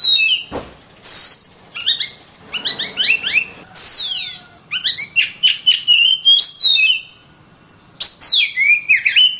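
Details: Oriental magpie-robin singing as a training song for other songbirds: varied whistles, steep descending sweeps and rapid chattering notes in bursts separated by short pauses.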